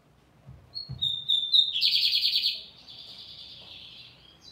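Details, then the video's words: Lined seedeater singing firmly: a few thin high notes, then a loud buzzy rapid trill held about a second, fading into a softer buzzing continuation; low thumps at the start, otherwise quiet. "BIGODE AMERICANO CANTANDO FIRME!"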